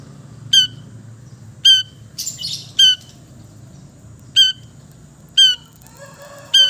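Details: East Java long-tailed shrike, vocal and mimicry-filled, heard in relaxed singing used as therapy for silent birds; harsh ringing squawk notes spaced about one second apart, with a brief scratchy burst between.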